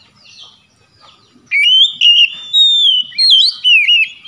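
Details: Kacer, the Oriental magpie-robin, in a lure recording to restore singing: after faint quiet sounds, a run of loud warbled whistles rising and falling, several phrases in a row.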